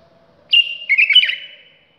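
White-eared bulbul giving one bright, liquid phrase of about a second: a clear whistle that slurs into a quick bubbling warble, over a faint low hum.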